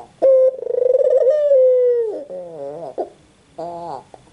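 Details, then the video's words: After a clipped opening note, a white Barbary dove gives a throbbing, rolling coo that settles into a steady mellow hoot and falls away. Quieter wavering notes follow. "SUARA BURUNG PUTER PUTIH"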